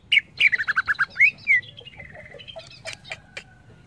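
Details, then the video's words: Greater green leafbird, song played to train young birds: a tumbling series of descending chirps, a few rising slurs, then soft warbled notes and thin sustained tones. "Suara burung CUCAK IJO"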